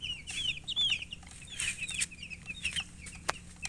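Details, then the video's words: Young chicks cheeping steadily, high thin peeps with slurred, falling notes from several birds at once, some louder bursts mid-way and a sharp click near the end. "Baby "Chicks Chirping" Sound"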